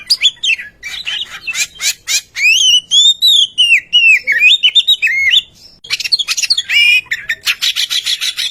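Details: Oriental magpie-robin song, used as a lure to get other birds singing; sharp chips lead into a long wavering whistled phrase, a brief pause, then fast scratchy chatter.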